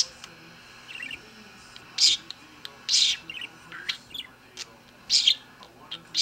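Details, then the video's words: Pet bird singing and dancing, an on-and-off performance: scattered harsh chattering bursts and short chirps, irregularly spaced about a second apart, with a faint steady hum beneath. "A song and dance from Charlie"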